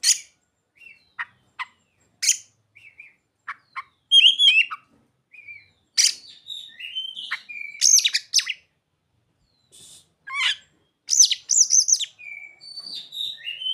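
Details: Oriental magpie-robin (kacer) singing a song filled with mimicked ciblek and sogon phrases: varied high chirps, sharp clicks, rapid trills and whistled sweeping notes in bursts separated by short pauses, with a quiet, clean background.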